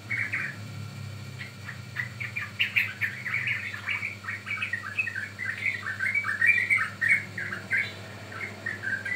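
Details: Yellow-vented bulbul, young bird, used as a lure to provoke other birds to sing and as training material; dense run of short chirpy, slurred notes overlapping continuously, with a low hum underneath.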